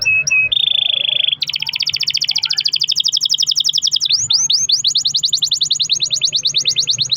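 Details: Long-roll canary song played to get other canaries singing: two short whistles, a level buzzy roll, then a long rapid trill of steep rising-falling notes repeated many times per second.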